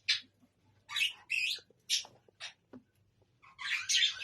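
A flock of budgerigars chatters in harsh, scratchy bursts and squawks that overlap in quick succession.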